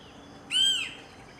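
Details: Adult male banded yellownape (Picus miniaceus malaccensis), a resident in an urban neighbourhood of Ipoh, Perak, Malaysia, on 13 November 2011, gives one high, plaintive, slightly arched and falling note of about a third of a second over faint hiss.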